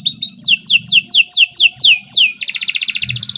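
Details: Canary song for training young birds: a run of about eight rapid descending whistled sweeps, then a fast buzzy trill, with low rumbling noise beneath.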